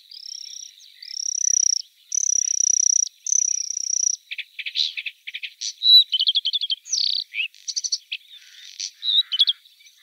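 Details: Bluethroat opens with four long, steady high whistles, then breaks into a lively, varied jumble of ticks, trills, buzzy notes and chirps.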